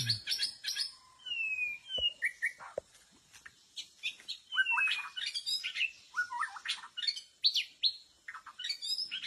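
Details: White-rumped shama song played to lure birds in a bamboo forest. Long, varied sequences of whistles, slurred notes and sharp chips flow in quick succession, with several overlapping high phrases and occasional clicks.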